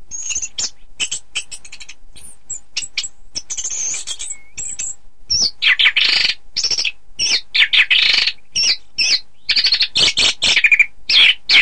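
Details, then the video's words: Orange-headed thrush song used for training birds for song contests: dense bursts of bright, varied notes, sharp chirps and rolling phrases, mostly high-pitched, in quick succession, louder and busier in the second half. "Suara Kicau Burung Anis Kembang"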